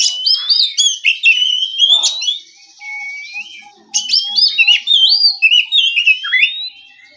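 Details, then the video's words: Morning ngeplong song of an oriental magpie-robin meant to draw answers from rival birds. Dense bursts of high twittering and looping whistles alternate with quieter stretches of soft, evenly spaced low notes. "Terapi pagi, suara burung kacer ngeplong santai dijamin bikin kacer lawan lekas bunyi nyaut & gacor!"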